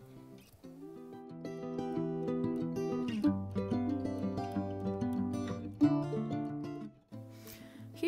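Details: Plucked guitar music with stacked harmonic chords and no animal calls.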